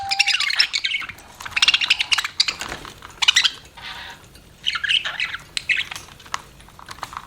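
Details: Budgerigar gives spaced bursts of scratchy, squawky warbling, with quieter pauses between the bouts.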